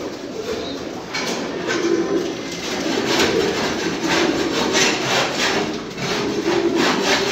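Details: Domestic fancy pigeons give low, throaty coos in short bursts, repeated every second or so, amid scraping and rustling noises and a constant background hiss.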